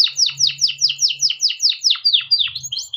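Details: Hand-reared male canary in full, long-rolling song, used as a lure to train young canaries: a run of about eleven steep descending whistled sweeps at roughly seven per second, then higher warbled notes, with a faint low hum beneath.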